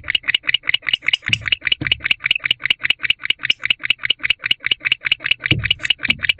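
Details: At night in an owl box, 16 December 2023, a barn owl calls for its absent mate with rapid, evenly spaced rasping chirps repeated several times a second, plus a few soft low thumps.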